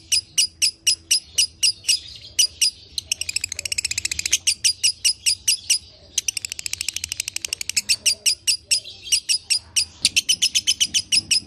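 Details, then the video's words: Lovebird chattering meant to coax another lovebird into song: long series of sharp, high chips interrupted twice by fast, dense rattling trills, with the chipping resuming between them. "Putar Suara ini agar LB anda akan kembali Bunyi"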